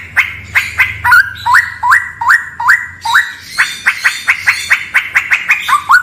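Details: Straw-headed bulbul singing in a cave said to be haunted: a run of short, rising whistled notes repeated about twice a second, then a quicker series of sharp upslurred notes near the end.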